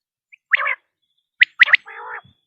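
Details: Common quail: a low rasping grumble, then a quick cluster of sharp liquid notes and another nasal grumbling note, all within a brief burst.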